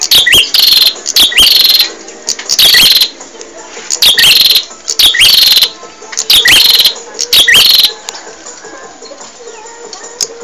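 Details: Bar-winged prinia song recorded for training caged songbirds: loud bursts of high, sharp, chirping notes repeated roughly every second, each burst a rapid run of strident tweets with short pauses between.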